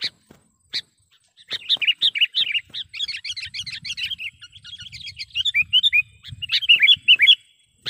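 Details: Lure call of a sooty-headed bulbul, used to attract wild birds: sharp chips leading into a long stream of quick, bubbly, cascading chirps, with a soft low rumble underneath.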